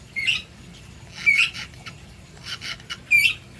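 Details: A pet Cape parrot named Tesla, one of a home parrot flock, gives four harsh, raspy squawks, roughly one a second, with faint scratchy noises in between.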